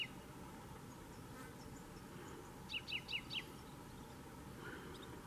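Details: Common chaffinch of the Canary subspecies canariensis at Fontanales on Gran Canaria in June, delivering a brisk series of four sharp, descending notes midway through, with faint background hum and distant chirps.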